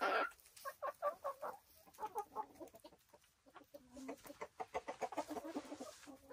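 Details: Silkie chickens at a Vermont hill homestead, producing a steady, uneven series of soft clucks mixed with lower murmuring notes, with a brief pause midway before the clucking resumes.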